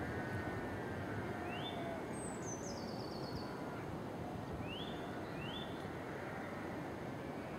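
A nuthatch gives a few short, rising whistled notes, plus a quick high descending run of notes, over a steady roar of traffic or wind.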